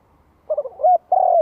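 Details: A spotted dove's provoking song: low stuttering notes lead into a rising coo, then a long, steady, gradually falling coo.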